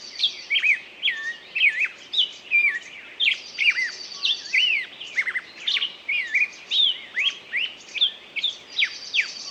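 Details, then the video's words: Sustained bird song: rapid, varied whistled notes repeated in rhythmic bursts, with a high buzzy trill at intervals and a soft hiss throughout. "пение птицы"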